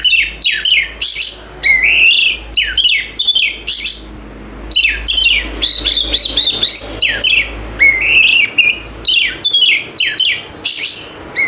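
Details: Continuous white-rumped shama song used to stir silent birds into singing, mixing scratchy falling notes, rich rising whistles and chattering bursts in quick succession, with a faint low hum beneath.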